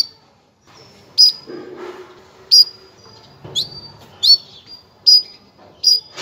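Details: Female canary calling to get males ready for breeding: a series of high, clipped chirps and short whistles roughly every second, over low rustling and faint movement noise.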